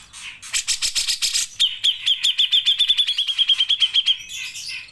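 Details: Grey-cheeked bulbul in full 'nembak panjang' song, a master recording for songbird keepers: harsh rasping bursts, then a rapid string of about twenty sharp, even chirps on one pitch over two and a half seconds, ending in a scratchy flourish.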